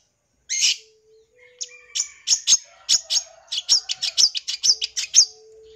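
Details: Long-tailed shrike in full isian style, the song used to provoke young birds: one loud burst, a pause, then a run of crisp high chirps quickening toward the end, over a steady faint low hum.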